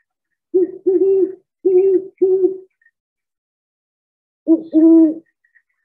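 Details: Great Horned Owl giving deep, soft, not very loud hoots: a run of four muffled notes, a pause of about two seconds, then two more.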